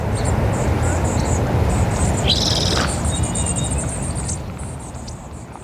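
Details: A flock of about nine bushtits foraging for insects in low sage scrub at Malibu Lagoon, California, in June, calling to each other: rapid very high thin tsit notes, plus a buzzy rising call later identified as a spotted towhee, over wind or surf rumble.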